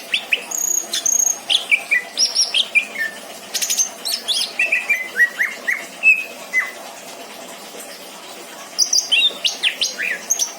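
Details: Caged greater green leafbird from a home collection, singing long runs of high whistled and chirping notes with buzzy sweeps, a pause of about two seconds, then a fresh burst of phrases.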